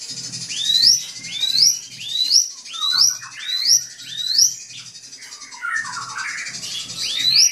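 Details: Drongo song to stir up a rival bird: bright upward-sweeping whistles repeated roughly every three-quarters of a second, a short pause with lower chattering notes, then another rising whistle.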